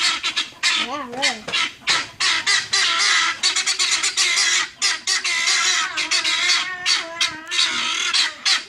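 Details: Guineafowl give harsh, grating squawks in rapid, overlapping bursts that go on almost without pause, during a standoff with a police K9 dog. A brief human voice is heard near the start.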